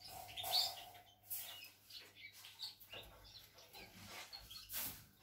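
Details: European goldfinch song, recorded 16 September 2020: quick, scattered high twittering notes and short chirps, faint, with a few sharp broadband clicks over a low steady hum.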